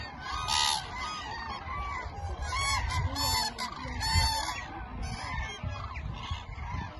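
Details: Thousands of migrating Eurasian cranes at Lake Hornborga, Sweden, in spring stopover en route from Spain to northern breeding grounds, give loud rolling trumpeting calls overlapping into a dense chorus over low background rumble.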